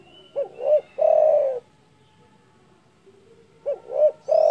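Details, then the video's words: Spotted dove's big-voiced call aimed at rivals: two quick rising notes and a drawn-out coo, a pause, then the same phrase again, with faint bird whistles. "DERKUKU GACOR DOR SUARA BESAR MEMBUAT EMOSI LAWAN"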